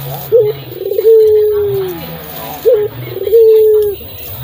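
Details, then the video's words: Barbary dove of a local strain, kept for training songbirds, calling twice: each phrase opens with a brief sharp note and a stuttering flutter, then a sustained low coo that fades downward. "PUTER GACOR LOKAL SUARA KHAS COCOK BUAT MASTERAN"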